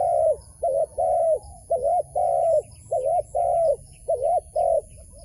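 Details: A wild dove being enticed into a trap coos continuously, strong doubled notes and longer hummed ones alternating rhythmically through the whole stretch.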